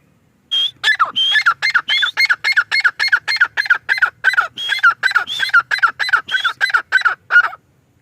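A male grey francolin gives a loud, harsh series of squawking notes, about three or four a second, running steadily for seven seconds.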